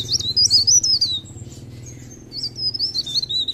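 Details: Mountain leaf warbler, locally Blerengan or Cikrak daun, singing actively: very high, rapid wavy twittering phrases, a short pause, then another squeaky burst, over a steady low hum.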